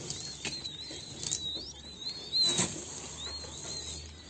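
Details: King quail chicks giving thin, high wavering peeps, drawn out and gently rising and falling, repeated through the clip over a faint hiss with a few soft rustles.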